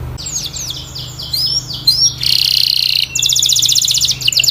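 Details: Canary training song, high and clear: repeated downslurred whistles, then a sustained buzzy trill and a fast rattling roll of notes, over a low steady background hum.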